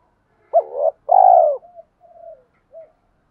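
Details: Male and female spotted dove voices meant to prompt newly caught doves to coo. A sharp rising note is followed by a long, loud, throaty coo, then three soft trailing notes.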